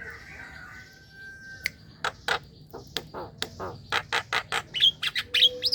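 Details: Black-winged myna calls played to lure young and untrained mynas into calling: harsh broadband squawks, a drawn whistle, then a rapid series of loud rasping notes and upward-sweeping whistles.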